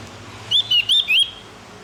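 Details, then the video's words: Javan grey-throated white-eye, morning training recording for captive birds; a quick phrase of four bright, slightly warbling high whistles with short gaps between them. "masteran burung opior jawa / cucak gentong agar cepat bunyi"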